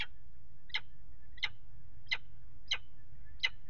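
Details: During mating on the nest ledge at the Axel water tower nest box, 5 February 2018, a peregrine falcon utters harsh, clipped calls repeated roughly every two-thirds of a second, six in a row, over a low background hum.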